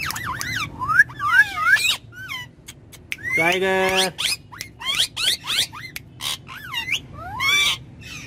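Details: Pet ringneck parrots chattering in the back seat of a car, quick twisting whistled syllables around a nasal, voice-like harmonic squawk, with car rumble below.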